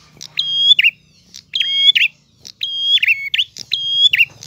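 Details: Lively gacor ngalun singing from a prinia. Four ringing phrases each hold one steady high note, then twist into a quick buzzy trill. They come about once a second over a low background hum.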